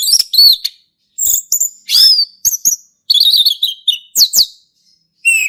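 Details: Ngeplong singing by a male orange-headed thrush, recorded wild in a forest. Varied whistles, sharp chips and a fast trilled run come in irregular bursts separated by short pauses.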